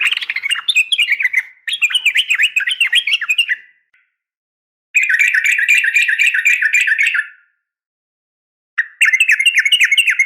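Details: Female Sooty-headed bulbul's fighting call to a male, meant to provoke a reply: dense, harsh, fast-chattering phrases a few seconds long, separated by pauses, with notes wavering up and down.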